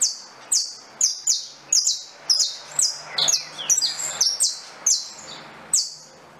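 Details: Saffron finch song made of sharp, high downslurred chips repeated roughly every half second, with a brief cluster of quicker overlapping notes near the middle and a faint low hum underneath.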